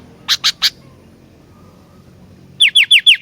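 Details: Sooty-headed bulbul in lively song: three sharp, clipped notes, a pause, then five loud, quickly falling whistled notes repeated in a rapid, even series.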